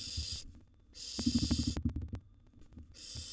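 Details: Wild barn owl youngsters vying for food inside a nest box: breathy hissing screeches open and close the clip, while a burst of rapid low scratching and thudding movement fills the middle.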